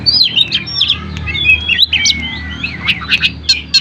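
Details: Oriental magpie-robin in full song, used as a lure to make other reluctant magpie-robins answer and sing; rapid varied whistles and sharp chirps, some rising and falling, tumbling continuously over a faint low hum.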